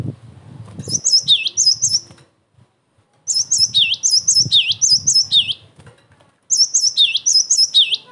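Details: Cinereous tit singing hard, used to provoke replies from other tits and for training birds: three bursts of ringing high notes, each phrase ending in a lower swooping whistle, with brief silent gaps and soft background thumps.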